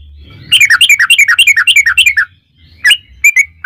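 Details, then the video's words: Fast, rolling yellow-vented bulbul song in the long 'ropel' style, played to provoke other bulbuls. About twenty liquid chirps run in quick succession, then a few scattered notes follow over a faint low hum. "trucukan gacor ROPEL PANJANG buat pancingan trucukan agar bunyi jadikan burung trucuk gacor EMOSI"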